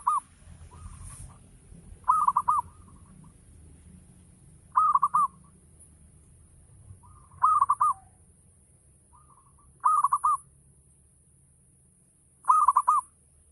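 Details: Local zebra dove, Javanese perkutut, singing a 'ngayer' lure song used to stir other doves into cooing. Six short, soft phrases of clustered mellow coos recur roughly every two to three seconds over a faint low hum.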